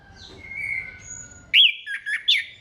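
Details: Orange-headed thrush song meant to get other thrushes singing: a soft held whistle, then a few loud, sharp slurred notes and a quick warbled phrase.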